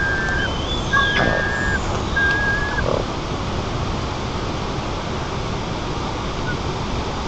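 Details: White-tailed eagle chicks in a nest camera in Nizhnyaya Kama National Park, Tatarstan, Russia, 14 July 2024, begging for fish: thin, level whistled notes, three within the first three seconds, over a steady loud rushing background.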